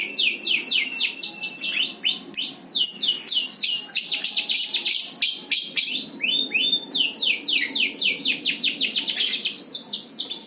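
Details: Bird song: a continuous run of quick, high, downward-slurred notes in dense trilled bursts, varying in pitch throughout.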